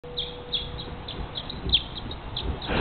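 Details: Barn swallow flying and swooping around a house before dawn, about 4 a.m., in spring in Everett, Washington; short sharp chirps repeat roughly every quarter second over steady low background hum, ending in rushing noise.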